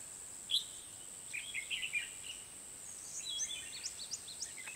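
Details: Red-whiskered bulbul gives bright, chirpy phrases in short bursts, some rising, some falling, in a trapping and fighting-song recording from An Bình, Hòa Bình, Vietnam. A steady high insect whine runs underneath, with faint distant voices.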